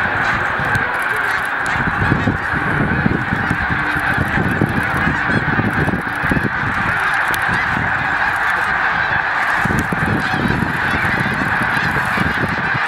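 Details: A massed flock of snow geese on migration at Middle Creek, Pennsylvania, keeps up an unbroken wall of high, yelping honks, with bursts of low rumbling wind noise.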